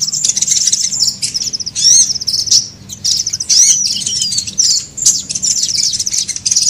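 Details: High-pitched sunbird twittering played as a bird lure: dense, sibilant trilled bursts with sweeping chirps, fairly continuous with brief gaps.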